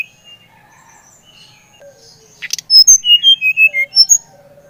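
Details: Brown-chested jungle flycatcher, Bali type, song used to stir another bird to sing: faint twittering at first, then a loud rapid series of clear whistled notes stepping downward.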